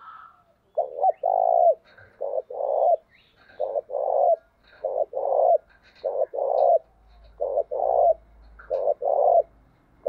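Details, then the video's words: Spotted dove cooing in the early morning, used as a lure call for wild doves, voice in the local 'thổ đồng' style; low coo phrases repeated about every second, each two short notes then a longer buzzy note, a few faint higher chirps. "cu gáy thúc gù và gáy gọi bổi sáng sớm"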